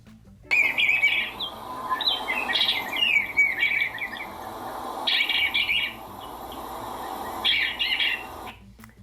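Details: A backyard bluebird sings soft, warbled phrases in three bursts: a long run of burry notes, then two short phrases a second or so apart, over a low steady hiss.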